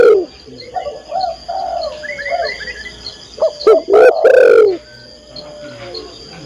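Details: Female spotted dove calling for a male, giving a cluster of loud, throaty coos in the middle of the passage, with fainter warbled notes before and a constant high-pitched whine throughout.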